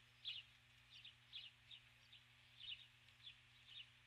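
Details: Calling for her mate, a female osprey on the nest at dusk on 21 July 2015 gives clear, high whistled chirps, single or paired, spaced around every half second, above a soft mechanical hum.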